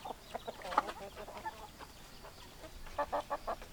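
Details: Chickens with hens clucking, scattered soft clucks early on, then four loud evenly spaced clucks near the end, over low background rumble.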